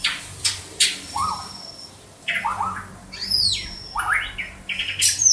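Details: White-rumped shama from Banda Aceh singing varied phrases: low rising whistles, looping slurred notes, sharp high clicks and a thin sustained high whistle, delivered in quick irregular bursts.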